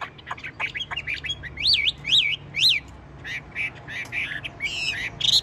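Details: Chinese hwamei kept in a cage and singing steadily despite the cage being shaken: rapid jerky notes, then three loud zigzag whistled slurs, followed by choppy chattering phrases.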